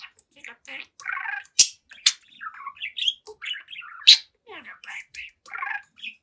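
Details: Young budgie, seven months old, talking and singing at its mirror: rapid scratchy chatter with buzzy blocks and wavering notes, broken by a few loud piercing squeaks.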